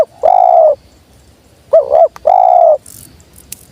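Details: Spotted dove giving a long hollow coo, then a wavering short note and another long steady coo. A faint high rustle follows near the end.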